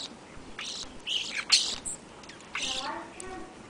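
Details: European starlings feeding on the afternoon of February 8, 2013, before an overnight blizzard: scattered harsh, broadband chirps and squawks in short bursts, one louder burst near the middle, faint rattling notes toward the end.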